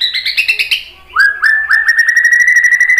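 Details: White-rumped shama, murai batu, in a bait song to trigger replies: a run of quick rattling double notes, a short pause, then slurred whistles leading into a fast steady trill.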